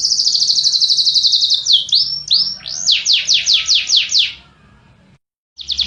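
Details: A canary gives a fast high rattling trill, two drawn-out slurred whistles, then a string of strong falling strokes before a pause and the start of another trill.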